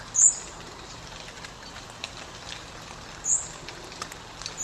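Blackbird giving two very high, thin, hissing 'seee' notes about three seconds apart, faint over a soft background hiss.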